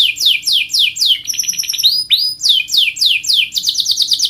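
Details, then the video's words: Canary singing a master song used to train birds for a singing contest: rapid runs of high descending sweeps, switching to buzzy pulsed trills and a sharp rising whistle, then quick repeated chirping notes again, over a faint low hum. "Canary Mastering Sound for Bird Singing Contest"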